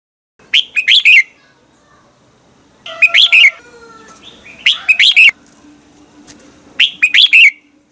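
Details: Red-whiskered bulbul singing in the morning, used as a lure voice to train other bulbuls. Four short bright whistled phrases of quick rising and falling notes arrive every two to two and a half seconds, with faint lower whistles between them.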